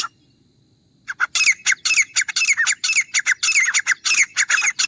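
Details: Grey francolin: after a second of near silence, a rapid, excited string of harsh, high notes rattles on with a slightly uneven, rolling rhythm.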